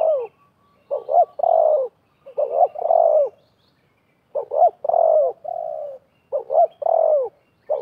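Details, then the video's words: Wild spotted dove and a decoy dove call against each other during bird trapping, trading soft, hoarse coos in quick phrases of three or four notes, each ending in a longer drawn-out coo, repeating every couple of seconds. "TERKUKUR LIAR DAN PIKAT BERADU/BERLAGA HEBAT"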